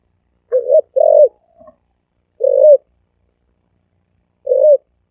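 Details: Spotted dove giving thổ ồm vang gù coos. A paired short-long coo opens, then two single deep coos follow at spaced intervals. The call is mellow and low-pitched against silence.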